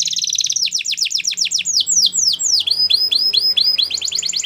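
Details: Belgian canary singing in a training recording: rapid high trills give way to fast downward-sweeping notes, then a run of repeated rising whistles and a quick closing trill, with a faint low hum beneath.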